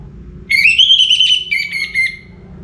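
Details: Orange-headed thrush singing before morning: a long, bright whistled phrase that climbs and holds, then breaks into a lower falling tone, with soft background hum.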